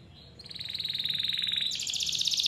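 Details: Canary song with a clear voice, played to prompt young or reluctant canaries to sing; a steady fast buzzing roll that builds in loudness, then jumps to a higher, brighter trill.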